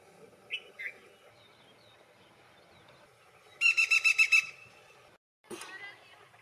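A black-rumped flameback gives a short, harsh rattle of about seven quick notes, preceded by two brief squeaky notes, over a quiet background murmur.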